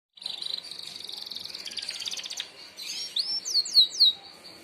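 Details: Merlok canary giving a sharp 'tembakan' song used to train other birds: a fast, buzzy high trill for two seconds, softer rattling notes, then three loud downslurred whistles near the end.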